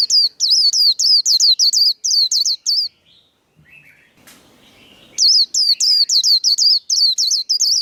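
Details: White-eye contest song, líu đấu style: two long runs of rapid, high, downward-hooked whistles separated by a short quiet gap.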